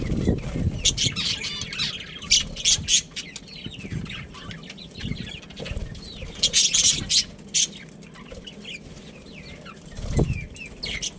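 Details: Budgerigar breeding pair calling with rapid high chirps and buzzy warbles in bursts, the busiest burst coming about two-thirds of the way through, with occasional low thuds.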